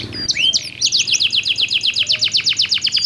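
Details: Singing canaries counter-calling to coax other canaries into song: a brief whistled slur, then a steady, evenly pulsed trill of about four notes per second.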